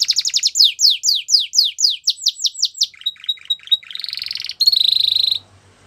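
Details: Belgian canary singing rapid downslurred whistles in a steady series, then clipped notes, a buzzy roll and a bright high trill that stops suddenly.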